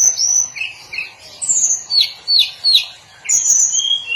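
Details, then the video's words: Daily song of a hill blue flycatcher: a lively string of high, sweet whistled notes, several sharply downslurred, interspersed with short rising chirps, delivered in quick bursts with brief pauses. "Kicauan harian Tledekan gunung"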